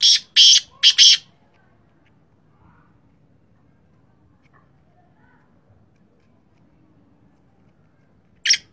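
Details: Sindhi black francolin calling: a rapid series of three harsh, rasping bursts, then a long silence with faint low background noise, followed by a single short burst at the end.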